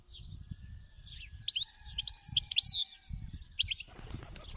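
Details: Khalawi (wild) European goldfinch in full song, a rapid jumble of sweet twittering, trilled and slurred high notes rising in intensity, then brief chirps, with low thudding noise beneath.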